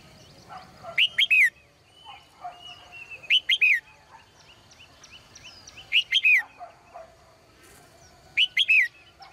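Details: Morning singing of a caged female bird: four loud phrases of three quick, descending chirps, roughly every two and a half seconds, with softer, lower warbles between them.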